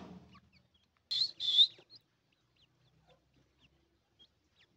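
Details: Grey francolin giving two loud, shrill, high notes in quick succession, each slightly slurred, then near silence with only faint distant chirps.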